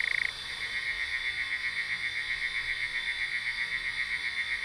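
A Eurasian nightjar gives a long, unbroken churring trill, a dry mechanical purr that wavers gently in volume. A steady high insect hiss sits in the background.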